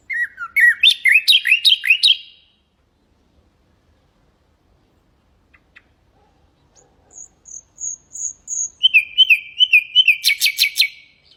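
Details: Song of a common nightingale, played to train canaries and goldfinches: a rapid tumbling phrase of rising notes, silence, then a thin high whistled series and a quick repeated chattering trill.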